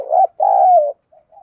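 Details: Urging coo of a spotted dove in the 'đồng thổ' voice style, meant to stir other doves to respond. A short, rounded note is followed by a long, steady low coo, then faint soft murmurs.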